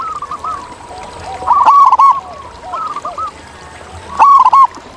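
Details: ['Zebra dove calling in the wild: gentle rolling coo phrases build to two loud, quick bubbling bursts a few seconds apart, with fainter doves audible behind.']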